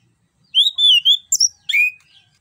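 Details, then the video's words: An orange-headed thrush, used as a lure sound to get quiet birds singing, sings a quick, varied phrase: a clear wavering whistle, a sharp high flourish, then a buzzy note into a falling whistle. "ANIS KEMBANG GACOR NGEROL NGEPLONG"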